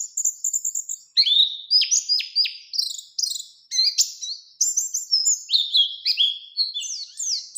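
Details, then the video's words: Lure song of a Bustomi pleci, an Oriental white-eye, singing ngalas ngerol nembak to challenge an opponent: a thin high trill, then a dense stream of varied sweeping, chirped and whistled notes, relentless and busy. "Burung PLECI GACOR Ngalas Ngerol Nembak Mencari Lawan | Pancingan Pleci Cepat Nembak"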